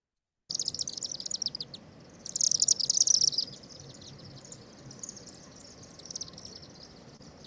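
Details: Chimney swift (Chaetura pelagica), a social bird flying high and heard before seen, in forest habitat in Bas-Saint-Laurent, Quebec: rapid, high, dry chittering twitters in quick bursts, busiest near the middle, over a low hum.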